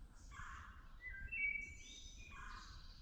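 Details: A Wood Thrush sings along the Appalachian Trail, named by a thru-hiker through Merlin: short fluted notes climb into a bright, ringing buzzy trill, framed by softer lower burry sounds. Constant low ambient noise.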